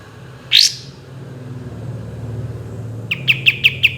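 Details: A kapas tembak lets out one loud upward-sweeping whistled note, then after a pause a short burst of quick clipped notes, over a steady low rumble like passing traffic.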